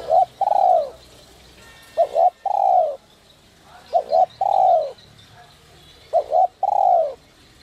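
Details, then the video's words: Spotted dove, 'giọng còi' whistle-voice type used for stimulating decoy birds, repeats its phrase four times. A short doubled coo is followed by a drawn-out falling coo, roughly every two seconds. "Chim cu gáy GIỌNG CÒI te te kích bổi cực sung, giọng nhạy bổi kích cu gáy bổi nhanh gáy"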